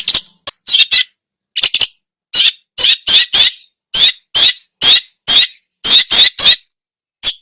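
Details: Long-tailed shrike in full lively song full of mimicked phrases, used as a lure to provoke other birds: harsh, scratchy, broadband notes given singly and in quick pairs or triplets, separated by short silences.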